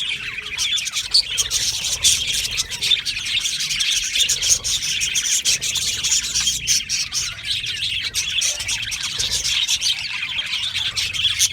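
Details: Australian budgerigar aviary colony, long unbroken chorus of bright chirps, clicks and scratchy warbling from many birds, evenly dense from start to finish.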